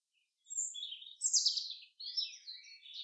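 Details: Common chaffinch singing in a forest: a bright descending run of high, slurred notes in the middle, framed by shorter overlapping chirps from other birds before and after.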